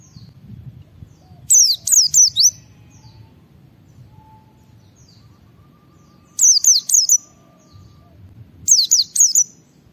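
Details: White-eye singing in ngalas style so other white-eyes respond: three bursts of three or four high, downslurred whistled notes, several seconds apart, over faint low background noise.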